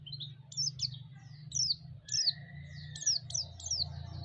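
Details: White-eye calls used as a lure to heighten other white-eyes' agitation: irregular high, steeply falling chirps, some in pairs, with a faint steady tone and low hum behind.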